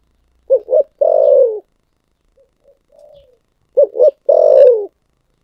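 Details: Spotted dove in the thổ sấm song style, two full phrases about three seconds apart. Each has two quick hoots and a long, falling, resonant coo, with faint soft coos in the gap between.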